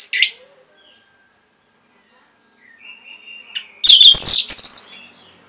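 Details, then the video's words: Orange-headed thrush song used to get caged birds singing: a short whistle, quiet thin notes, then a dense, harsh and busy burst of high chattering and whistled notes that fades into soft twitters. "MASTERAN & PANCINGAN ANIS MERAH GACOR INI ATASI BURUNG MACET BUNYI"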